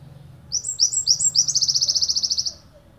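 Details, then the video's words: Ponorogo wingko Java sparrow giving its long-shot song for training songbirds. A few rising chirps lead into a rapid, steady, high trill of about twenty notes lasting a second, then it stops abruptly. "Gelatik wingko tembakan panjang"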